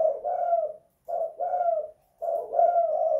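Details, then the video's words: Indoor spotted dove giving the kuk 2 / guk 1 song style. Three soft, throaty coo phrases, each a short note joined to a longer drawn-out one, separated by brief silences. "Tekukur kuk 2 / guk 1 in the house"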